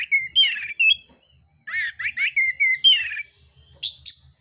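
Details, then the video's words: Oriental magpie-robin fighting song full of harsh imitations, with quick wavering whistled notes and rattling slurs in dense runs, a brief gap mid-clip, then sharp high whistles; soft low hum throughout. "kacer mintal tarung bongkar isian kasar"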